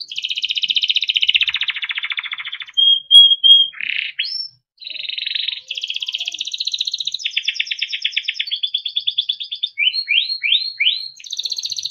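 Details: Timbrado canary song for training and listening, a long varied sequence of rolling trills, a steady pure whistled note, buzzy tours and a run of four quick upslurred notes, all loud and continuous.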